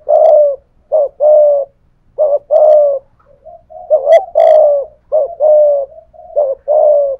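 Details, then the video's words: Caged decoy spotted dove giving 'gù' coos in 'thổ pha thúc' voice at a wild rival: paired notes, a clipped upslur then a longer buzzy level coo, repeated closely, with faint clicks in between. "cu gáy giọng thổ pha thúc GÙ đấu với bổi, tiếng gáy bổi nghe rất ghét và gáy theo hiệu quả"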